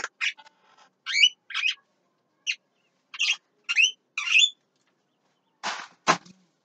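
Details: Midday song of a Javan myna, mixing bright upslurred and downslurred whistles with scratchy buzzy notes in irregular phrases, closing with two harsh broadband rasps.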